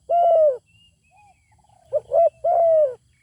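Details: Zebra dove song, with a wild bird that has a good voice declining to come down and fight: a long, smooth falling coo, a faint soft note, then a short double coo leading into another drawn-out falling coo.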